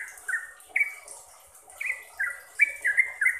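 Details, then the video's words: Sooty-headed bulbul, played to caged birds to make them sing eagerly and fast: spaced bubbly whistled phrases, each a short falling slur, coming closer together toward the end. "BANYAK Trucuk yang jadi GACOR dan ROPEL berkat suara TRUCUKAN ini"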